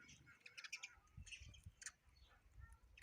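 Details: Sparrows chirping while eating food: scattered short, high chirps over a low, rumbling background with faint soft thuds.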